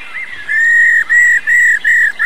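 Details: Laughingthrush; female rolling call; stimulating male birds to sing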